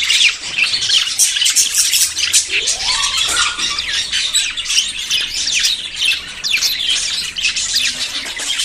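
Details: Courting budgerigars ready to breed, a crowded flock warble of rasping squawks and quick chirps, with one lower rising-then-falling whistle standing out briefly near the middle.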